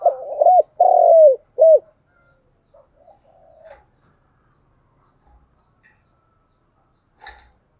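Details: Spotted dove morning lure call used to attract wild doves. One full phrase of short coos, a long sliding coo and a quick final coo, followed by faint murmurs and a few soft clicks in an otherwise quiet scene.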